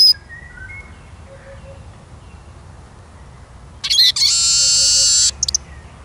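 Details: Eurasian siskin singing: a quick burst of high twittering notes followed by a long, drawn-out buzzy wheeze lasting over a second, then a few short chips; faint distant birds in the background.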